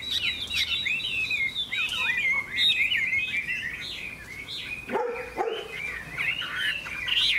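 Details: Wing-flicking golden Hwamei in a singing contest: continuous rich whistled song of looping, sliding notes, with two brief harsh calls near the end.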